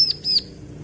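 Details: Bar-winged prinia, described as a female calling a male, giving two thin, very high whistled notes in quick succession, the second slightly longer, over a faint low hum.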